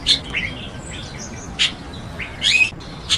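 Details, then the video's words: Chestnut-tailed starling calling: short, sharp high chips and brief squeaky notes at irregular intervals over steady low background hiss. "栗尾椋鳥/Chestnut-tailed Starling"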